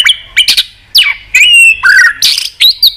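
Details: Short burst of many-voiced white-rumped shama song, intended to excite and train shamas: brief bright whistles and slurs alternating with harsh, buzzy chattering notes in quick succession.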